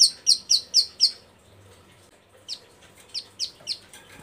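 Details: A breeding female bar-winged prinia calls for males as a lure: five quick, sharp, high chirps, a pause of about a second, then five more, slightly softer.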